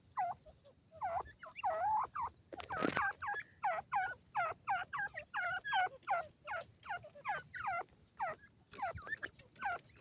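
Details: Chicks of an Iranian partridge with the female during feeding: a continuous stream of thin, bent, squeaky peeps, each rising then falling, about two per second, with one loud rustling burst partway through.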